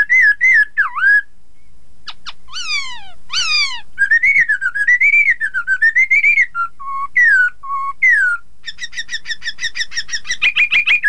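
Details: Hong Kong poksay, the Chinese hwamei, singing to provoke rival birds into answering: rich, loud whistled phrases rising and falling, sharp downswept notes, wavering warbles and a closing run of rapid repeated chips.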